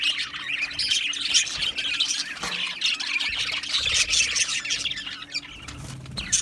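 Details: Australian budgerigars chirping in an aviary colony, with a constant overlapping mix of shrill squawks, warbles and short whistled notes.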